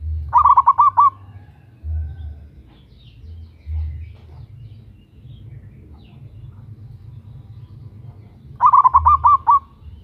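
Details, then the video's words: Loud local zebra dove calling, a female summoning a male, used as a lure: a quick rolling series of short coos opens, silence follows for about seven seconds, then a matching phrase repeats, over intermittent low hum. "Perkutut Lokal GACOR Suara BESAR - Pancingan bunyi"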